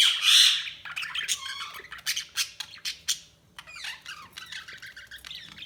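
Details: Budgerigars chattering continuously: a loud opening squawk, then rapid scratchy chirps and short warbled notes, tightly packed and irregular.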